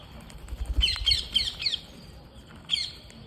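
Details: Several green parrots during feeding make a quick run of four or five short, rasping squawk notes, then a single further squawk after a brief pause.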